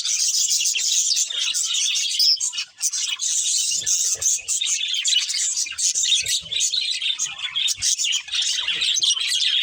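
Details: Continuous budgie chirping, many birds warbling and tweeting at once in a dense, even high chatter with one short lull near the third second.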